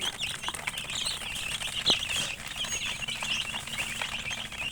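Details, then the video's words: Flock of chicken chicks with continuous high, twittering peeps, densely overlapping, plus a brief sharp tap near the middle and a low background hum. "Murgi chicks Chirping sounds"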